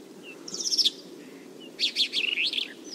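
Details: Bimaculated lark from Turkey: a short, bright trill of chirps, a pause, then a lively run of warbled, rising and falling notes, with low steady noise behind.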